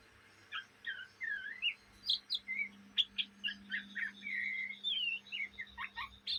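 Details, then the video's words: Young Indonesian Oriental magpie-robin in ngriwik chatter: spaced, sweet whistled phrases, rising and falling slurs and a few sharp clicks, fairly quiet against a faint low hum. "kacer bahan ngriwik siang malam"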